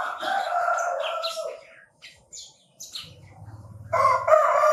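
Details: Chinese francolin calls: a harsh, ringing harmonic phrase at the start and another loud burst near the end, with scattered high chirps from small birds and a low hum in between.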